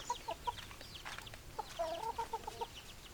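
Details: Hens clucking: a run of short, tonal, slightly nasal notes, a few in quick succession at the start, then a denser cluster of repeated clucks near the end, with faint chirping behind.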